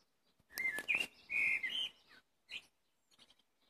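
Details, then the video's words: Blackbird song phrase: loud, melodious fluted notes that dip and rise, followed after a short gap by a few thin high chirps. "Black bird singing"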